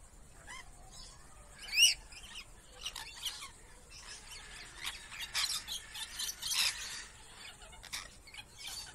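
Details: Lorikeets in their enclosure at Jacksonville Zoo, Florida; shrill, high screeches and rapid chattering squeals in dense overlapping bursts, one loud piercing shriek near the second mark, with the chatter growing busier later on.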